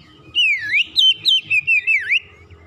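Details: White-rumped shama, a caged bird coaxed out of silence into full song: one continuous phrase of sliding, warbling whistles that dip and rise, about two seconds long, with a faint low hum behind.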